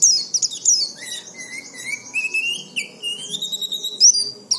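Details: Oriental white-eye song used to lure untrained white-eyes into singing quickly, meant for daily play: high chattering twitters with a long, slowly rising thin whistle running through the middle.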